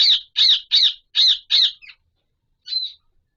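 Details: Pahari Kashmiri parrot (Alexandrine parakeet) in its mating season giving five rapid, raucous, rasping squawks, then a softer clipped note, a pause, and one final shorter squawk.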